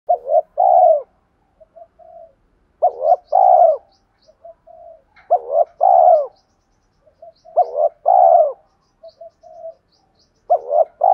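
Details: Decoy spotted dove calling to provoke fighting and draw out wild doves: low mellow coo phrases, each a short note then a longer hollow coo. Phrases recur about every two to three seconds, with soft quiet notes in between.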